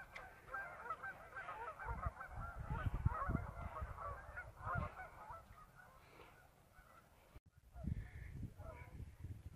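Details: A group of geese on a river on a short afternoon trip, a dense chorus of rapid overlapping nasal honks that fades, pauses briefly, then resumes with fresh calls, over low rumbling noise.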